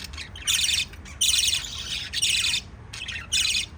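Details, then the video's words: Pet lovebirds, shown kissing and feeding their chicks, utter five bursts of rasping, buzzy high chirping, each lasting about a third of a second, separated by quieter soft twittering. "LOVE BIRDS CHIRPING sounds"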